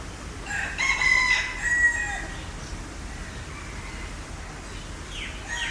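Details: A green peafowl gives a loud, harsh, brassy call lasting about a second and a half, then quieter trailing notes and brief sliding sounds, over low background hum.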